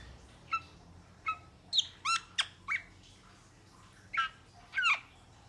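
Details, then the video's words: Metallic starling giving scattered squawky notes that sweep downward, single calls at first, then paired harsh chirps spaced about half a second to a second apart in a quiet setting. "Metallic Starling Aplonis Sounds ! Metallic Starling Aplonis Song Metallic Starling Aplonis Call !"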